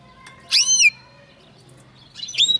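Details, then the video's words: Linnet x canary hybrid gives two bright bursts of high, sweeping whistled notes about two seconds apart, with a faint low hum behind. "Linnet x canary φανετο χ καναρα"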